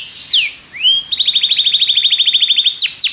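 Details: Belgian canary singing to train other canaries: a falling sweep, then a rising whistle leading into a fast buzzy trill of repeated notes, closing with steep downward sweeps.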